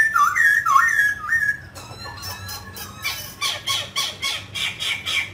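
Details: Mutant grey laughingthrush singing while it dances. Bright looping whistles come first, followed by a quieter stretch and then regularly repeated, raspy, squawk-like notes roughly four per second.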